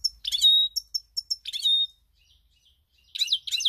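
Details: Goldfinch song recorded on 7 March 2021: short clusters of high, tinkling twitters with buzzy downslurred notes, separated by brief silences, ending in a tight, rolling burst.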